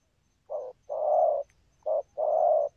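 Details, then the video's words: Two paired coos from a spotted dove in thúc gù style. A brief low note leads into a longer, fuller hollow coo, and the pattern is repeated twice. "Chim Cu Có bài, rước tốt, có thúc gù"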